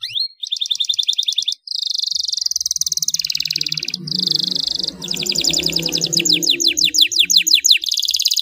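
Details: Rolling 'ngeroll' canary song meant to lure and train young canaries: continuous high trills alternate with steady buzzing rolls and rapid repeated chirps, and a faint low rumble runs underneath.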